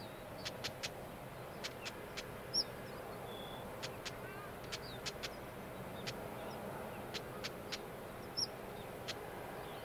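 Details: Black-headed stonechat, one of a wild pair feeding nestlings in thick grass: faint, fairly regular hard clicking notes throughout, joined by a couple of short high whistled notes, with a low steady background hiss.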